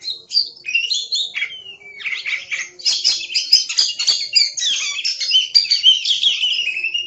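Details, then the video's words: Oriental magpie-robin pours out continuous vigorous song, slurred whistles sliding downward, then a dense stretch of harsh, chattering and whistled notes without pause. Tutor song for pet songbirds. "Suara Burung Kacer | Gacor"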